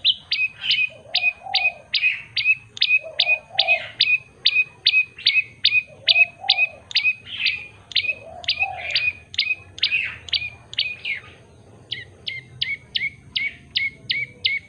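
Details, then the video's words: Prenjak lumut (common tailorbird) in lively, clear-voiced song: a long, steady stream of piercing high chips, two to three per second, briefly pausing near the end, while mellow low coo-like sounds recur behind. "burung prenjak lumut gacor variasi . commond tailord bird singging"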